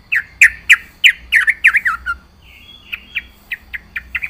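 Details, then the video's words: Yellow-vented bulbul singing vigorously with a full, varied song: a burst of bubbly, slurred notes, rising and falling, in quick succession for two seconds, then a softer run of short, evenly spaced chirps after a brief pause. "burung Trucukan gacor full isian"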